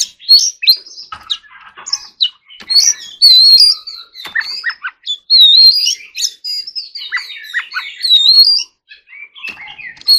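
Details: Oriental magpie-robin in song training, delivering long varied phrases of loud wavering whistles, slurred notes and rapid chatter, nearly continuous with few pauses.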